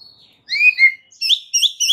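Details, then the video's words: White-rumped shama song used as a training recording for a stressed bird: a thin high whistle, then two clear slurred whistles and a quick burst of three bright rising notes. "MASTERAN untuk Murai Batu Stress"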